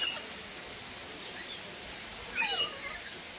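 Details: Rainbow lorikeets in Palmitos Park: brief, shrill, screechy notes, one at the start, a short squeak near the middle, then a harsh burst of several chattering notes near the end. Rainbow lorikeet.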